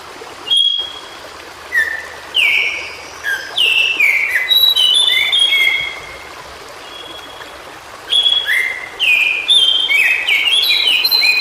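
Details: White-browed shortwing, known locally as cingcoang biru, singing in its natural habitat: bursts of clear whistled notes, some sliding and some steady, given in quick varied phrases separated by short pauses over a constant soft background hiss.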